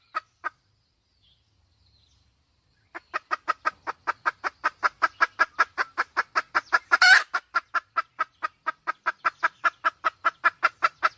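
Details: Red junglefowl hen calling: two isolated clucks, a silence, then a steady run of sharp repeated clucks, about three per second, broken by one loud harsh squawk midway.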